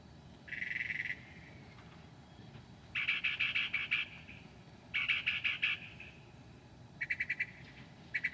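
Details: At 2 a.m. on 7/9/2008 a northern mockingbird, mimicking other species, delivers separated bursts of rapid, rasping pulsed notes, each burst about a second long, with quiet gaps between.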